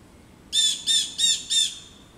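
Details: A rapid run of four harsh, rasping calls from local blue jays agitated by an adult male osprey perched in a back yard.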